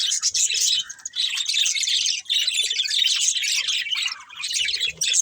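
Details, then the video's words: Budgies chatter in a busy, scratchy warble of high twittering notes and short squawks, coming in bursts with brief dips around two and four seconds, several birds overlapping. "Beautiful Budgies Chirping Sounds"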